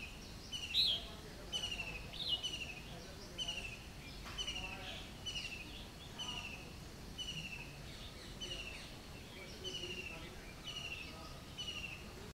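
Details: A Red-whiskered bulbul at WII Dehradun, India, in April, gives short, bright, slurred notes about once a second over a steady low background rumble.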